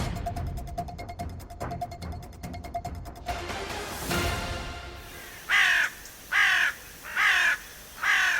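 A carrion crow gives four harsh, hoarse caws, each under a second long and spaced a little under a second apart, after a brief stretch of music and noise.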